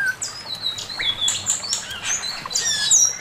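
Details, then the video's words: Chinese hwamei male singing master song: thin high whistles and twittering chirps mixed with scratchy harsh notes in a continuous busy phrase. "Burung poksay mandarin suara masteran Poksay mandarin jantan"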